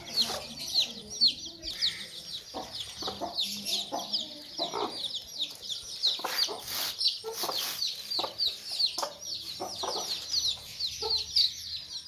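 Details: Sussex mother hen protecting her chicks, making angry sounds: short, harsh clucks in irregular bursts over the constant high, shrill peeping of many chicks.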